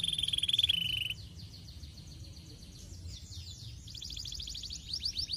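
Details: Canary singing as a master recording for training: a loud, fast rattling trill for about a second, a quieter stretch of soft buzzy notes, then a bright rapid trill rising in volume near the end.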